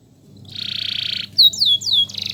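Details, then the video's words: Song of a canary kept as a master bird to teach singing: a long even buzzing trill, then two or three sharp sweeping downward whistles, ending in another bright trill over a faint background hum. "BURUNG KENARI Gacor‼ di MASTERI pakai burung ini LANGSUNG Ikut Gacor❗❗"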